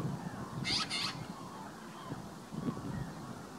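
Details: Asir magpie (Pica asirensis), Saudi Arabia's endemic, in Tanomah, Saudi Arabia, August 2018, gives two quick, harsh, rasping calls in close succession over a low, steady background rumble.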